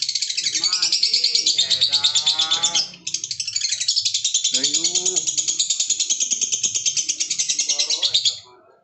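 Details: Long lovebird ngekek, an intense, fast, pulsing high chatter with one short break near the middle. Speech runs over it, and the trill fades out at the end.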